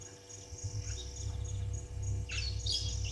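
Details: Harsh screeching calls of brown-headed parrots at a waterhole, Gowrie dam on Djuma Game Reserve, Sabi Sand Wildtuin, South Africa, late afternoon 26 June 2023, live camera; rasping bursts in the second half, constant rhythmic insect pulsing behind.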